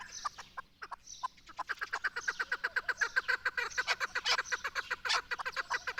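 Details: Chukar partridge of Pakistan, where it is the national bird: a few scattered clucks at first, then a dense, accelerating string of hard chuk notes running on steadily to the end.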